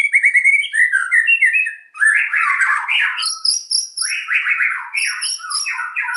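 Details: White-rumped shama in full gacor song with tightly packed phrases: bright whistled notes, then harsh, grating chatter mixed with high thin whistles, continuing without pause.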